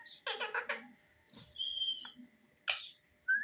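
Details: Pet parrot indoors in a small room giving a burst of harsh, harmonic squawks, then a drawn-out whistled note and a sharp rising screech at the end.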